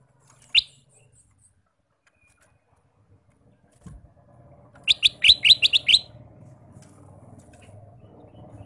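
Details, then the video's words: A Ruby-throated bulbul gives one bright chirp, then a quick burst of about seven sweet, high notes in one second, over a low background rumble. "Kicau Burung Kutilang Emas: Gacor Sepanjang hari"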